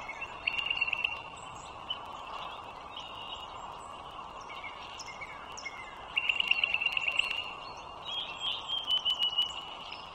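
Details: Pair of wild bald eagles at a nest beside the Dulles Greenway in northern Virginia, 21 March 2023, around 9:15 in the morning: three bursts of high, thin, rapidly pulsed chittering notes over a steady broadband background hiss.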